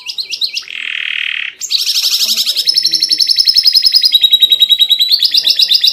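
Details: Canary tutor song rich in fills and trill variations, aimed at agitating other canaries. Brief warbles precede a flat buzzy tone, then fast pulsed trills step between pitches.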